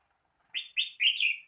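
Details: Red-whiskered bulbul singing a brief, bright phrase of four slurred whistled notes that rise and fall, the last two running together, in an otherwise quiet setting.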